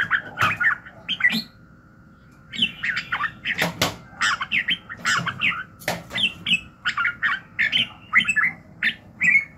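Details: Long stretch of red-whiskered bulbul song in the morning: rapid chattering whistled phrases, then a pause, then steady runs of bubbly notes, mixed with sharp clicking knocks.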